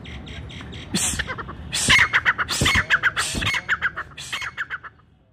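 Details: Calling brown francolin, its voice said to draw all francolins of the forest together for hunters: brief faint start, then a loud run of harsh pulsed squawks in steady rhythm, tailing off softer before falling silent.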